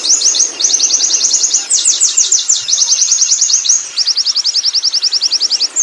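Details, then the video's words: Ngerol rolling song of a wild Oriental white-eye: clusters of rapid, bright, high trilled chirps in bursts of a second or so, ending in an even, evenly spaced rattle-like run. "suara burung pleci ngalas ngerol"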